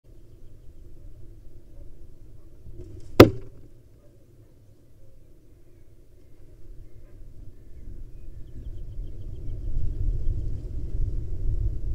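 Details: Steady low rumble with one sharp knock and no animal voices.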